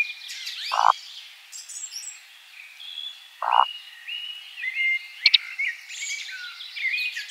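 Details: Eurasian woodcock in display flight at nightfall in a spring forest gives two brief, low grunting croaks roughly three seconds apart. Dense high chirping and whistling from other birds fills the background, with one sharp click.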